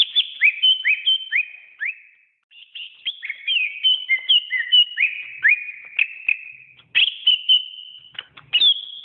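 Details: Greater green leafbird song, a training recording for pet birds: rapid varied whistled phrases with sharp downslurred notes and clear sustained whistles, about two notes a second, a brief pause near the middle, no other sounds.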